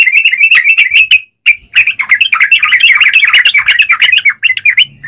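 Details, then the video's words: Yellow-vented bulbul, trucukan, in vigorous song: quick repeated bubbly notes, a short pause, then a dense jumbled chatter of liquid whistles and ticks. "Burung trucukan gacor..!!"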